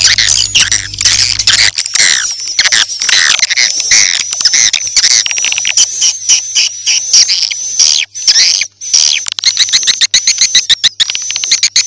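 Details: Edible-nest swiftlet lure sound for new swiftlet houses, played morning, midday and night: busy insect-like twittering and clicking chirps, a long high whistle-tone running throughout, low hum at the start.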